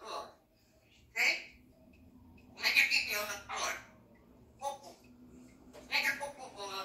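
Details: Pet red-tailed African grey parrot, 20 months old, talking indoors: a string of harsh, speech-like phrases in bursts, some with squeaky high overtones, separated by short pauses in a small room.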